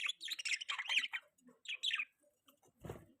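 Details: Budgerigar chirping while mating: bursts of scratchy, squeaky warbling in quick runs, then a pause and a final harsher broadband squawk near the end.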